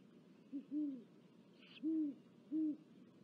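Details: Great horned owl at its nest in Corona, California, with four chicks and a mouse, 19 February 2023. Deep, soft hoots: one short note, then three longer, even hoots spaced about a second apart. A brief, faint, higher squeak falls between them.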